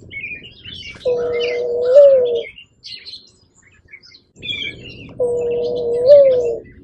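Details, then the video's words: Mourning dove calling twice: each a long, smooth, low coo that holds steady and then lifts briefly before sliding down, with a pause of about three seconds between. Faint chirps from other birds sound in the background. "mourning dove sound"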